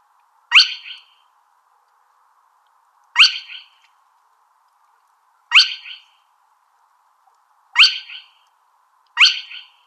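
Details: Spotted crake calling with single abrupt, rising whip notes spaced roughly two to three seconds apart, five notes in all, each ending in a brief buzzy tail, against a faint constant hum.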